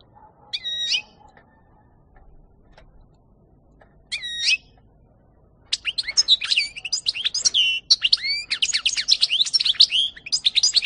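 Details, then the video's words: European goldfinch from 2018: two short, ringing, stacked call notes spaced a few seconds apart, then a long, dense outpouring of fast liquid twitters and trills that runs to the end. "ΚΑΡΔΕΡΙΝΑ-Carduelis carduelis (European Goldfinch 2018)"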